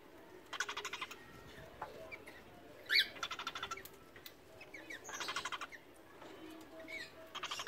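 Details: A pair of cockatiels during their first mating: bursts of rapid, buzzy chattering, repeated every second or two during the courtship ritual.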